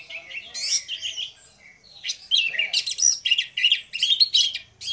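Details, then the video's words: Orange-headed thrush duo singing hard (gacor ngeplong) as a lure: busy, high, jumbled warbling with many quick notes, a brief lull near the middle, then a nonstop stretch of rapid sharp phrases. "DUO ANIS MERAH NGEPLONG GACOR, PANCINGAN ANIS MERAH BIAR BUNYI"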